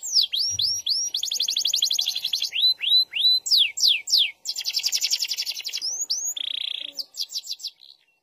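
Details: Canary of SF type in emotive, vigorous song. Curved whistled notes run into long buzzy rolls, with repeated swoops and a lower steady trill near the end.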